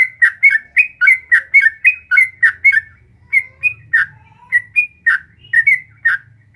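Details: Yellow-vented bulbul in fast, extended 'ropel panjang' song for training caged birds: a rapid run of bubbling, warbled whistles, slowing midway into looser, separated phrases over a faint low rumble.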